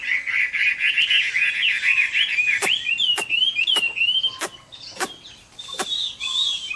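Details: Chinese hwamei fighting song at summer midday, a rapid run of rolling whistled notes broken by sharp clicking knocks roughly every half second in the second half.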